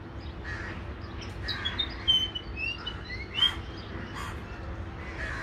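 Grey Fantail giving thin, high, squeaky notes in short irregular bursts, some sliding up or down, over a steady low hum with rougher calls in the background.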